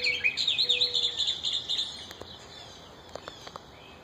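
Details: Mockingbird from a pair living in a yard, noisier now their young are out of the nest: rapid series of high chirping notes for about two seconds, then faint scattered clicks and distant background noise.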